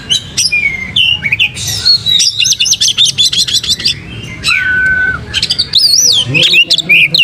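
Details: Oriental magpie-robin singing actively with tail spread, used as a lure for other magpie-robins: loud, varied run of sharp whistles, rapid chattering trills and rising and falling notes, with short pauses between bursts.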